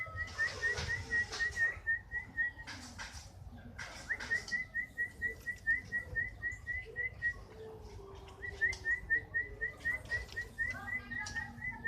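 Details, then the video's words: Canary of the style called fighter (faigter) singing a steady series of short, clear upslurred whistled notes, about two per second, in three runs separated by brief pauses, with some faint background clatter. "Burung kenari faigter"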